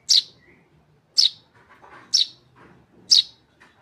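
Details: Tame tree sparrow nestling calling with four strong, sharp chirps spaced about a second apart, quieter twitters in between.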